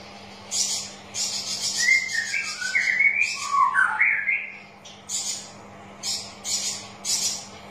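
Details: Straw-headed bulbul song meant to coax reluctant birds into singing: a tumbling, liquid warbled phrase dipping and rising in the middle, surrounded by repeated harsh hissing bursts.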